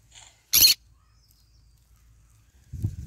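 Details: Green-cheeked conure basking and eating in the morning sun; a faint chirp, then a single loud, grating screech, followed by silence and low rustling noise at the end.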